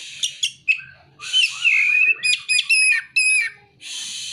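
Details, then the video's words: Oriental magpie-robin song with imitated prinia (ciblek) and sunbird (kolibri) calls: a few sharp chirps, then a hissy buzz leading into a long descending whistle and rapid repeated high notes, ending in another buzzy hiss. "Kacer (materi ciblek dan kolibri)"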